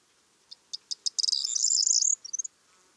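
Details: Corn bunting song: a few separate dry ticks that speed up into a dense, jangling, high-pitched rattle lasting about a second, ending in two or three brief thin notes. No other sounds are heard.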